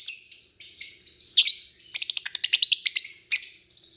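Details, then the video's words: High, buzzy chirps from lovebirds, first drawn-out rasps, then a quick stuttering series of short sharp notes, ending with a few isolated chirps. "Chirping lovebird making cute sounds"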